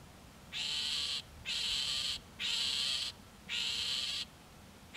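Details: Iberian grey shrike (Lanius meridionalis) calling at Castelo Branco, Portugal, on 5/7/2019: harsh, grating rasps, each about half a second long, repeated roughly once a second over a quiet background.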